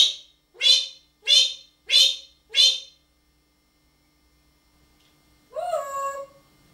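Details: Talking parrot uttering five harsh, raspy squawks in quick, even succession, then after a silence a lower, voiced, speech-like sound with a rising tail.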